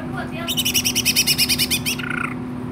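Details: Greater green leafbird (cucak ijo) singing vigorously, tagged Babelan, Bekasi: a rapid burst of about a dozen loud, ringing notes lasting under two seconds, ending in a lower whistled slur, over a steady low hum.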